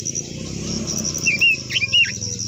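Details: Japanese white-eye, known in Vietnam as quế lâm, giving a long-voiced song meant to spur other birds to sing: a few short, high, warbled notes late in the clip over a steady high insect buzz and low hum.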